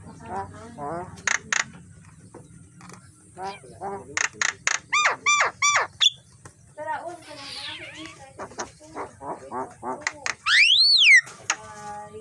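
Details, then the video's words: Javan myna in the morning, a tutor recording for training birds: a long, varied medley of clicks, nasal wavering notes, sharp chips and harsh squeals, ending in a loud upslurred screech and a few trailing low notes. "Suara jalak kebo masteran pagi hari"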